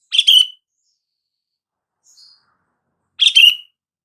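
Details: Sooty-headed bulbul call for prompting silent bulbuls to reply: two short chirping phrases ending in a falling whistle, about three seconds apart, with a faint high note between them.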